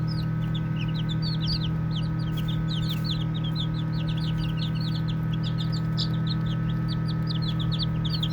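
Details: High, short, downward peeps from playful baby chicks pour out almost continuously, many voices overlapping, with a low steady hum beneath.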